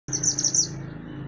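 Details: Mantenan gunung singing loudly, recorded as a master track for training songbirds: a fast, very high-pitched chattering trill of tight repeated notes over a faint low hum.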